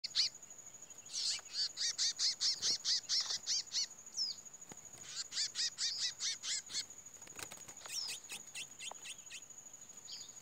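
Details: Chestnut-bellied seed finch in its first fight after the moult, singing against another bird: rapid series of high, clear down-slurred whistled notes about two per second, broken by pauses and a few sharp clicks.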